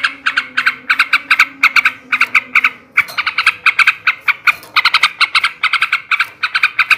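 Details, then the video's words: Male sooty-headed bulbul delivering ngebrem ngekek garuda chatter, played to tutor quiet or young caged bulbuls. A dense, almost continuous string of clipped, ringing notes in fast clusters, with one brief break midway. "kicau suara burung trucukan jantan ngebrem ngekek garuda"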